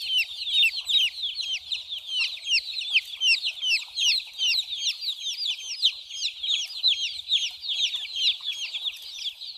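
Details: Many small white chicks at play and drinking water; their piercing, downward-sliding cheeps pour out nonstop, overlapping into a lively unbroken chatter, with faint low bumps beneath.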